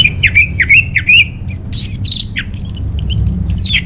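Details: Orange-headed thrush song meant to lure and tutor caged birds: hoarse, upslurred notes in a series, then squeaky whistles and a sharp descending slur.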